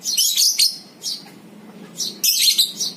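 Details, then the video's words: Lovebird chattering in ngekek style as a lure for other lovebirds; short explosive volleys of shrill, buzzy high notes, with a quieter pause in the middle. "PANCINGAN 100% NGEKEK BURUNG LOVEBIRD!! AUTO NGEKEK"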